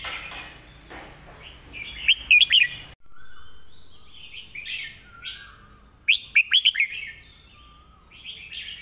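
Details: Red-whiskered bulbul singing its master song, meant for teaching other birds: two rich, rapid whistled phrases about four seconds apart, over quieter background chirps and a soft hiss.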